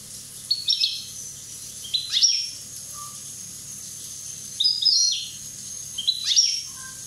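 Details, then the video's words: European goldfinch, Corsican and one year old, singing four high clipped phrases with rapid note runs and rising sweeps at irregular intervals, plus a faint lower whistle in the gaps. "Chardonneret rosse corse 1ans"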